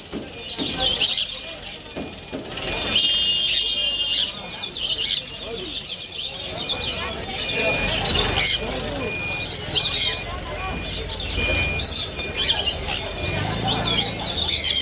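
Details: Sun conures (Aratinga solstitialis) give rapid, harsh, high-pitched chirps and squawks in quick succession.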